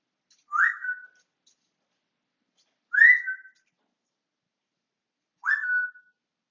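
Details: Short whistles from a pet African grey parrot, 20 August 2022: three brief, slightly rough notes about two and a half seconds apart, each a quick burst sliding down into a steady tone.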